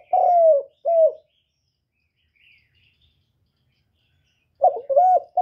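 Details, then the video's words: Spotted dove lure call used to stimulate doves: two mellow, slightly falling coos, a silence of about three seconds, then three more coos in quick succession. "Tiếng cu gáy Kích bổi"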